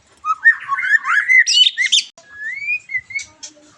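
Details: White-rumped shama song for stimulating a bird after moulting: a warbled, slurred phrase rising into high sharp notes, then a long smooth rising whistle and a few softer notes.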